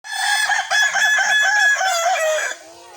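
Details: Kukuak Balenggek rooster at a crowing sparring session: one long, loud, harmonically rich crow of about two and a half seconds, wavering in pitch across several linked segments before ending abruptly.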